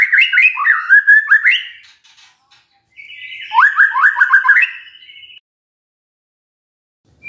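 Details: Lure song of a magpie-robin, intended to set off a silent bird: rapid descending whistled notes in two bursts, the second over a harsh buzzy tone, then silence.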